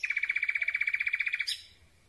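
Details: Common Nightingale singing at night, recorded from very close with a microphone on a telescopic boom: a rapid, even series of about twenty high, pulsing notes that ends in a sharp, bright flourish.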